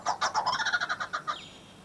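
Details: Blue-winged kookaburra (Dacelo leachii) giving its distinctive call: a harsh, rapid cackle of about a dozen raspy notes, several per second, ending in a downslurred squawk.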